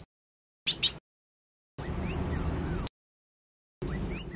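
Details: A sunbird, recorded as a master call for training, gives high, thin whistled notes in quick bursts of three or four sharp sweeps, each burst separated by brief silences.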